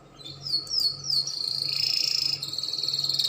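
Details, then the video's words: A Spanish Timbrado canary sings high, quick downward whistles, then a long metallic rolling trill with a steady rattling pulse. "CANARY SINGING - PANCINGAN SUARA KENARI SPAINS TIMBRADO"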